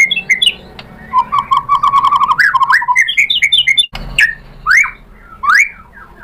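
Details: White-rumped shama provoked into replying, giving a varied song of fast chirps, a run of repeated lower whistled notes, then loud rising and falling whistles after a short break.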